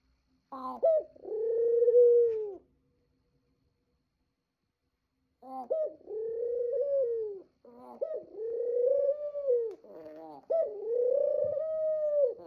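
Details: Pet dove's good-morning cooing, four long coos in sequence, each starting with a sharp rising lead-in before a steady, gently arching tone, the last three coming close together after a short silence.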